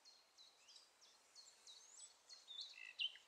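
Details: A common nightingale whose song carries across the neighbourhood sings a fairly quiet, high phrase: short whistled slurs repeated quickly, ending in a denser, richer flourish over faint background hiss.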